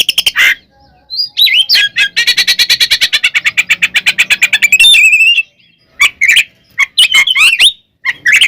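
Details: Oriental magpie-robin giving a fighting song meant to provoke rival birds; a harsh note, then a long rapid rattle of chattering chips, followed by scattered loud whistles, squeaks and buzzy notes.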